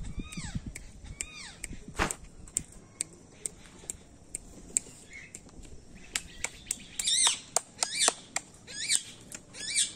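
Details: At Bhawal Resort and Spa, harsh, raspy macaw squawks come in a quick cluster near the end, after some falling chirps and scattered sharp clicks over a quiet outdoor background.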